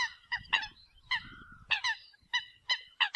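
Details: Decoy recording of a Eurasian coot giving loud, nasal, trumpet-like notes, singly and in pairs, including one drawn-out tone near the middle, with a soft low rumble between calls.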